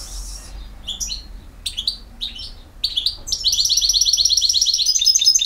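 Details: Campero-style song of a European goldfinch, BiH: a few separated chirps and tinkling notes, then a fast, steady, buzzy trill building louder toward the end.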